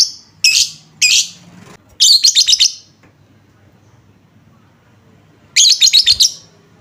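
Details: Lovebird lure recording to set off replies from other lovebirds: loud shrill chirps, then a rapid stuttering run of harsh notes, a silent gap, and a second stuttering harsh burst.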